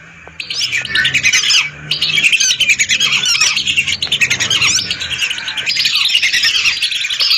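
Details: Hundreds of lesser whistling ducks calling at once, a recording meant as a lure; a busy, pulsing chorus of high squeaky whistles, swelling and dipping throughout with no quiet spells.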